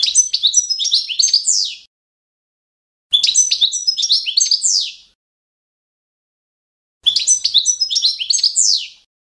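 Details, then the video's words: Balkan goldfinch, Carduelis carduelis balcanica, with its competition-standard song for training young birds: three near-identical bursts of quick, tinkling twitters, each about two seconds long and closing on a downward slur. "skolovanje štiglića Carduelis balcanica- goldfinch song"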